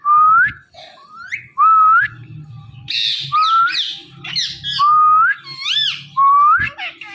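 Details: Pet ringneck parrot indoors with a phone, known to mimic meowing and talk: repeated rising whistled notes alternate with a run of harsh, arching squawks, over a low background hum and a person speaking.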